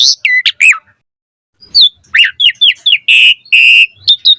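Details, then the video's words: Asian pied starling, song played to teach birds to sing: falling whistled notes, a pause, then a series of short curved whistles and two long steady buzzy notes. "Pancingan Jalak Suren Gacor Cepat MOMPA Full Variasi - Masteran Burung Jalak Agar Gacor Isian Mewah"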